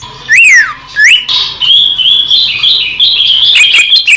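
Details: Greater green leafbird recorded in the wild in Indonesia, clear masteran song: loud, pure whistled notes sweeping down then up, followed by a run of sustained high whistles and quick varied warbling phrases.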